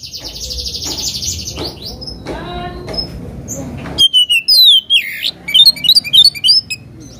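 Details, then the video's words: Oriental magpie-robin song meant to agitate a rival bird: an opening of buzzy, droning sound gives way to quick, clipped whistled notes that rise and fall in a choppy stream. "KACER GACOR BIKIN EMOSI LAWAN,PANCINGAN KACER EMOSI BIAR NGOBRA"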